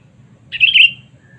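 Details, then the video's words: Lure call of a sooty-headed bulbul, meant to draw in rivals: one rich, gurgling warble of about half a second that wavers up and down, with a faint low hum behind it. "Pikat Kutilang Cengkram Memanggil Musuh Terkuat Sepanjang Masa"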